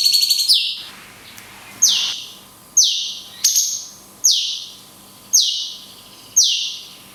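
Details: Cungkok in the 'tembakan kunti panjang' style with natural pauses, a master recording for training birds: piercing down-slurred whistles repeated roughly every 0.8 to 1 second, each fading quickly, over a low steady hum.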